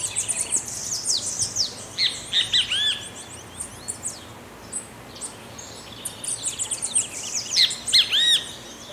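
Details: Wild great kiskadee in the rural area of Pirenópolis, Goiás state, Brazil, giving bursts of strong arched, ringing notes in two clusters several seconds apart, while other small birds chatter and twitter at high pitch throughout.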